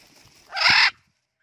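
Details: Pet talking blue-and-gold macaw out in a garden gives a single loud, harsh, raspy squawk lasting about half a second, broad and grating, then the sound cuts off into quiet.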